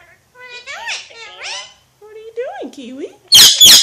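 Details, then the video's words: Alexandrine parakeet talking: a run of speech-like warbled syllables with bending, rising and falling tones, then a short pause, more mimicked words, and two loud harsh squawks at the end. "Pakistani Ringneck Parrot Talking"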